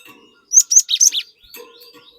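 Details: Lure song of a cinereous tit, meant to draw an untrained bird into singing: one fast phrase of four loud, high whistled notes, then soft chatter.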